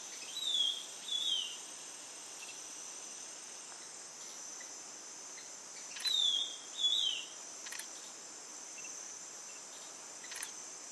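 A Ringed Antpipit gives two pairs of clear, high, slightly falling whistled notes about five seconds apart, over a steady shrill drone of insects.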